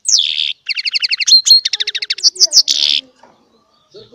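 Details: Small caged hybrid finch singing goldfinch-style song: bright buzzy twittering phrases and rapid repeated trills, with clear high notes and brief pauses between bursts.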